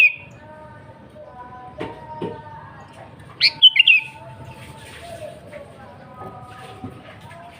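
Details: Sooty-headed bulbul singing energetically in pure native song used to attract wild birds; a single bright, bubbling phrase of four rapid liquid notes midway, with quieter low tones and faint background noise around it.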